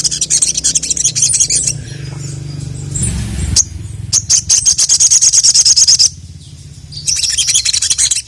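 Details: Sogon, or ruby-cheeked sunbird, calling a male in full song: shrill high warbling, a lull with low humming, then a fast run of evenly repeated high ticks, about three per second, and renewed twittering.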